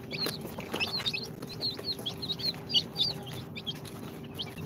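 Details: Chicks hatched in an incubator two days earlier, Sultan, Golden Sebright, Cochin and booted breeds, peep in bright high chirps, some sharply rising then falling, coming in loose bursts, with scratching noises and a low hum underneath.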